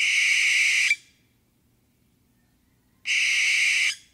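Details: A barn owl's long, rasping, breathy shriek, nearly a second long, followed after a two-second pause by a second identical hissing screech; background otherwise quiet.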